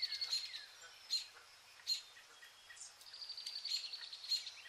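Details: Zebra finches, shown as entertainment for cats. Loud, short beeps come at irregular intervals between soft high chatter, then a denser burst of chirps follows near the end.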